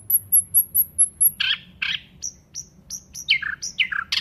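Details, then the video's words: Nightingale giving a string of very high thin whistles, followed by two harsh rasping notes and a sequence of short downslurred calls that quicken toward the end. "Nightingale bird singing Beautiful"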